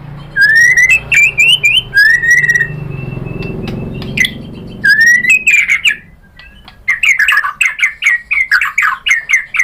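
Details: White-rumped shama song used as a lure to make other shamas reply: loud rich whistles with rising slurred notes, pauses, then a fast run of sharp repeated chirps; faint low hum beneath.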